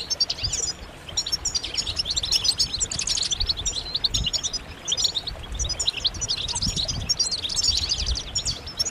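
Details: A flock-like chorus of European goldfinches singing to stimulate males; dense, high, twittering and tinkling phrases run without break, with light thumps of low noise in the background.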